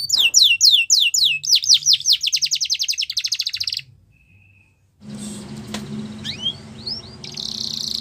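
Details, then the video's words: Russian canary training song: quick downslurred whistles speeding into a dense rolling trill, then a pause followed by faint scattered chirps over background hiss. "Russian Canary Singing | The Best Canary Training Song"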